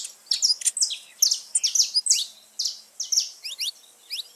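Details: Saffron finch song played to stimulate pet birds: rapid high chirps and downward-slurred notes in quick bursts, with short gaps between phrases.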